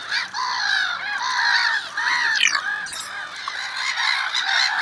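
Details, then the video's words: Gulls in early spring, a loud flock of harsh, mewing and yelping calls with strong harmonics, many birds overlapping continuously, with a brief rustle near the three-second mark. "Чайки ранней весной"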